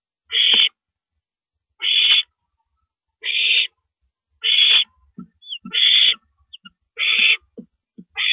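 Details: Owl at 1:27 AM, April 9, 2012, during a rabbit meal; a long run of seven raspy hiss-screeches about every 1.3 seconds, with soft clicks and small squeaks between the later ones.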